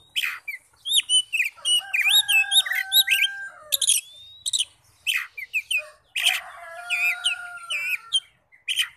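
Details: Magpie-robin song played to rouse other magpie-robins into answering, a dense, varied stream of sweet whistles, slurred upsweeps and scratchy chips, with a long steady low tone held beneath the phrases.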